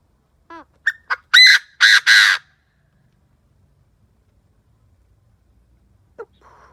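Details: Caged decoy Chinese francolin calling to provoke and lure wild birds: two or three short rising notes, then three loud, harsh, grating blasts within about two seconds, followed by near silence and one faint final note.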